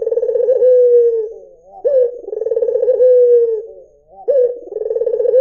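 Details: White Barbary dove calling: a sharp onset note, a rolling, pulsed stretch, then a long smooth low tone sliding down. It repeats about every two and a half seconds in a quiet setting.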